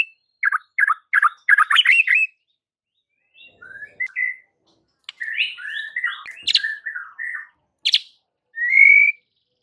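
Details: White-rumped shama song to provoke rival birds: quick chattering bursts, then scattered whistles and a dense warbled phrase, ending on a clear sustained whistle.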